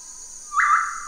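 A Black-capped Tinamou gives a low, steady, slightly rising whistle that starts abruptly and holds level, over a constant high insect hiss.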